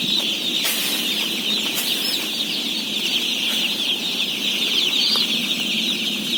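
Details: Mass of day-old chickens, about 17,000, cheeping while being fed; high overlapping peeps form a constant din, broken by a few sharp knocks early on and midway.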